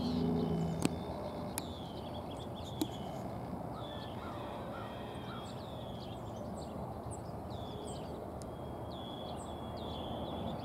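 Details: Harris's sparrows, many still present in spring after overwintering here rather than in Canada for breeding, give thin, high, short call notes, scattered and overlapping every second or so, over a steady low rumble of wind or distant traffic.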